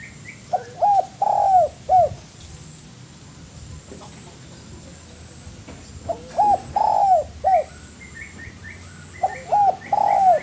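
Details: Master training recording of a spotted dove singing. Three phrases, each a pair of short low coos then a longer sliding croo and a closing coo, separated by quiet gaps of several seconds. Faint higher chirps sit in the background.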